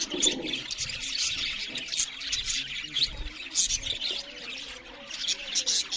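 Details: Several budgerigar parrots chirping loudly while eating: a dense, continuous mass of high, scratchy warbles and twitters with brief brighter squeaks scattered through it.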